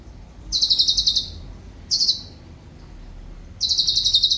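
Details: Cucak cungkok with clear rhythm and tight bursts: a high rapid pulsed trill, a short clipped burst, a pause, then another fast rattling trill.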